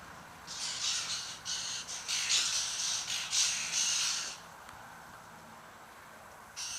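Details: A flock of white-winged choughs, around 60 or 70 birds, that had just eaten a kangaroo. A close series of loud, harsh, hissing rasps runs for about four seconds and then stops. A brief burst follows at the end.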